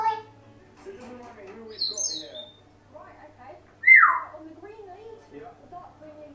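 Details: Pet African grey parrot left alone in a room, murmuring quiet speech-like sounds broken by a high whistled squeak and a loud, falling whistle.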